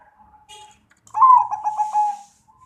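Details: Zebra dove (perkutut) singing in the deep 'suara gede' style: faint soft notes, then one loud, low, mellow cooing phrase with a quick run of rolling pulses that fades after about a second.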